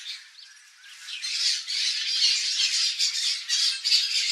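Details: Turquoise-fronted parrot in natural habitat in Brazil, a bird of woodland, savanna and palm forest, giving harsh, raspy squawks in a dense, continuous run that swells in loudness after the first second.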